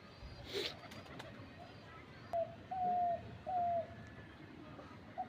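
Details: Kept dove used as a lure for other doves, calling from a tree: three drawn-out, clear, slightly falling hooting notes about a second apart, with a soft thump earlier and faint background hiss.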